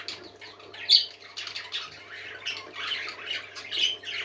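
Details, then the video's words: Parakeets chatter in a continuous stream of scratchy, high warbles and squawks, with a sharp louder squawk near the start and a low steady hum beneath. "Happy Parakeets Singing"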